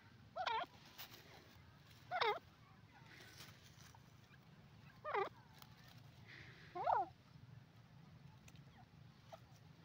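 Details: Grey francolin, known as Sindhi teetar, calling: four loud, short, harsh harmonic bursts spaced roughly two seconds apart, with a steady low hum and quiet background between calls.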